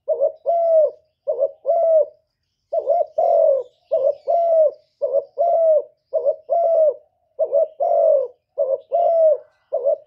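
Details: Spotted dove giving a thổ-style coo and crow to provoke rival wild doves. Deep, hoarse phrases repeat steadily: a short double note, then a longer falling coo, about once a second in near-silent surroundings.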